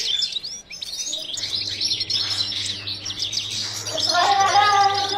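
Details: Breeding European goldfinch song in captivity: quick, sliding high whistled notes and chirps, about four per second. Lower harmonic tones come in near the end, over a constant low hum.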